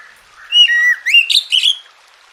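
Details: Short phrase of Oriental magpie-robin song meant to coax silent birds into singing: a low whistled note rising into a quick series of sharp, bright, upward-sweeping whistles.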